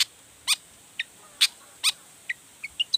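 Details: Long-tailed shrike in energetic full song, meant to provoke other shrikes into answering: scattered short sharp chirps and downslurred high notes, about eight in three seconds, with quiet pauses between.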